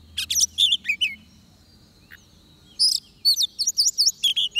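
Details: Oriental magpie-robin near a trap with a decoy gives bright chirps, a quiet gap, then a rapid series of looping whistled notes.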